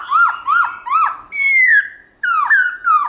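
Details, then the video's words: Black-throated laughingthrush singing in the morning, forest-style song: loud clear whistled notes sliding down, three similar phrases about every half second, then a long falling whistle and more downslurred notes after a pause. "Khướu Bạc Má Hót Giọng Rừng ĐẢO GIỌNG Buổi Sáng Cực Hay"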